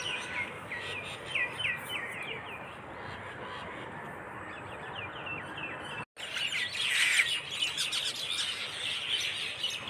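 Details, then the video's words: Flock of birds chirping on a dew-wet, foggy dawn along a rural path, with busy high twittering and short trills over a steady rushing background noise and a brief dropout midway. "পাখির ঝাঁক বেঁধে কিচিরমিচির শব্দে ঘুম ভেঙ্গে সকাল"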